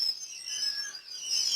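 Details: Brooder of day-old quail chicks on day one of brooding: many shrill, high-pitched peeps run together into a steady twittering chorus, briefly dipping then swelling again.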